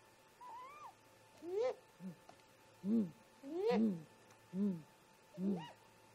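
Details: Great grey owl parents calling to each other near a snag nest at about 04:25 in the early morning, caught on a nest camera; soft low hoots repeated roughly every second, with higher rising whoops mixed in.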